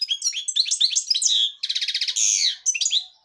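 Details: Black-headed European goldfinch singing a song of the devonash style: fast, high twittering with buzzy notes, a rapid trilled run, then a drawn-out rasping note and more chirps, without pause.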